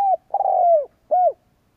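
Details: Spotted dove decoy calling to provoke rivals: the tail of one coo, then a long vibrating coo dropping in pitch and a final clean rounded coo, soft and low, with no other sounds.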